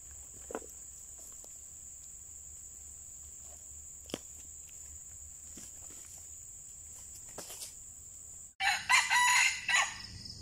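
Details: Red junglefowl lured with a decoy bird during trapping, two birds caught and fighting hard; after eight seconds of near-quiet with a steady high insect whine, one loud harsh crow bursts in, rough and layered, lasting nearly two seconds.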